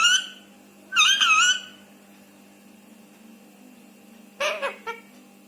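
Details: Rescued Indian ringneck (rose-ringed) parakeet talking in Hindi, high, nasal, speech-like phrases: a brief opening note, a longer wavering phrase, then a quick broken burst after a pause, over a low steady hum.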